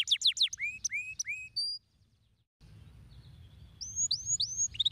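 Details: Canary stimulating song, played to encourage lazy canaries to sing: high whistled downslurred notes and rising sweeps, a near-silent break, then resumed upslurred whistles and fast chips.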